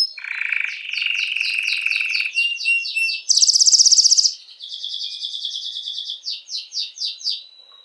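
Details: Singing canary, its song used to excite females for breeding: a lower buzzy trill, then a very high rattling roll, then a bright chopped trill of repeated notes fading into separate strokes.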